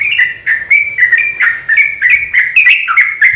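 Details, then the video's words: Fighting song of a sooty-headed bulbul, played as a lure to provoke other bulbuls into singing: quick, jerky string of whistled phrases that dip and rise, punctuated by crisp clicks, steady and unbroken. "KICAU SUARA trucukan gacor ROPEL panjang pancingan trucukan agar bunyi"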